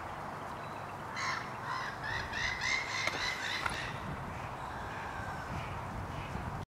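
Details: Mandarin ducks at the Leven river mouth, Balloch, Loch Lomond: a quick run of short nasal, harmonic calls with a rising whistled note, lasting about two and a half seconds, over a steady low engine-like hum.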